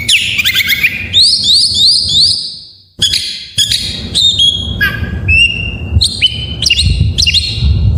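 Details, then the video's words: Oriental magpie-robin (kacer) song packed with varied 'isian' phrases, a master track used to provoke reluctant caged birds into singing: loud, clear whistled notes, rising and falling slurs and sharp upsweeps, pausing briefly midway, over a faint low rumble. "Suara masteran burung Kacer || pancingan KACER full isian"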